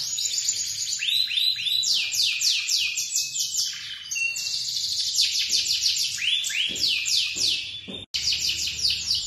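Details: Singing male canary, lemon coloured, delivering rapid descending trilled phrases one after another, some notes sweeping downward in quick rolls, with a brief cut near the end.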